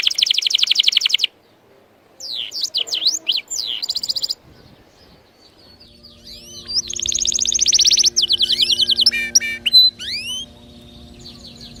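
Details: Canary song meant to stimulate other birds to sing: rapid rolling trills, fast downward-sweeping notes and bright chirps in bursts separated by short silences, with a faint steady low hum.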